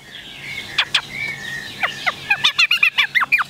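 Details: Chinese hwamei kept in a cage in Vietnam. A few scattered notes lead into a fast train of short, sharp, down-slurred whistles.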